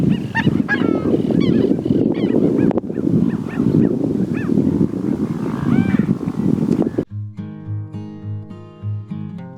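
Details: Coscoroba swans, central Argentina, give the loud, nasal honking alarm call that gives the species its name, several overlapping in a rough, fast series, before music takes over for the last few seconds.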